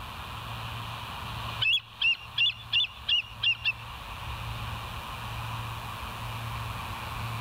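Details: Bald eagle calling on a live cam, morning of 28 August 2023: seven high, squealing chirps in an even series about three per second, set against a low steady rumble.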